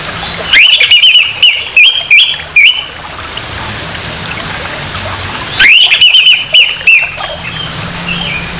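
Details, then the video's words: Harsh orange-headed thrush song used to rouse another orange-headed thrush to anger: two loud bursts of rapid, sharply rising whistled notes, several in quick succession, separated by a few seconds of hissing background. "SUARA KASAR ANIS MERAH, PANCINGAN NAIKAN EMOSI ANIS MERAH"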